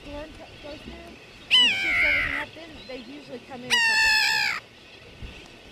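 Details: On Johnston Atoll, June 16, 2001, a grey-backed tern utters two loud, rasping, falling calls about two seconds apart, with softer low wavering sounds and background hiss between them.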